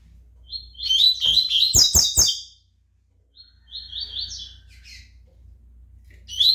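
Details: Pardo double-collared seedeater pouring out a loud, tangled run of high twittering notes cut by sharp clicks, then after a brief silence a softer rippling trill and the start of another burst.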